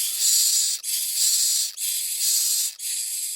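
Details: Common myna young being brought food: near-continuous rough hissing rasp, pulsing into roughly one-second segments separated by brief dips, loud and steady throughout.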